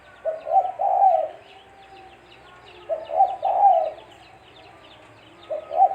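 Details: Tekukur or spotted dove calling as a lure for trapping, three low mellow coo phrases, each two short notes and a longer rolling coo, spaced about two and a half seconds apart, faint birds chirping behind.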